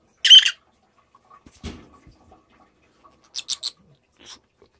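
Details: A pet rosy-faced lovebird at home in cold weather, seemingly wanting a bath, gives a harsh, shrill screech, then three rapid sharp squawks and one softer chirp; a brief handling knock between.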